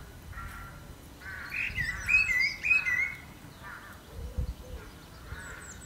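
A blackbird sings short, mellow whistled phrases with quick warbled twists, a few seconds apart, over a low background rumble.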